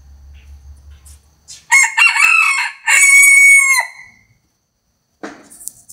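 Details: Bantam rooster crowing once: a loud, harsh, multi-part crow lasting about two seconds with a long held final note, then a brief scratchy noise and quiet afterward.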